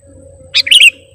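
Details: Sooty-headed bulbul (kutilang) pikat song: one crisp, high note, then a fast gurgling two-part whistle, over a soft background hum.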